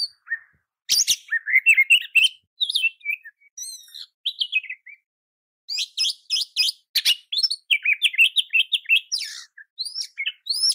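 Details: Training song of an oriental magpie-robin, used to coax other magpie-robins into answering and singing. Long, rich sequence of chirps, trills and slurred whistles, broken by one silent gap before a dense, fast finish.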